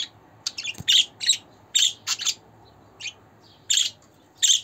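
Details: Budgie chatter played for pet budgerigars, male or female: rapid runs of scratchy chirps and squawks in clusters, with brief pauses, over a low hum.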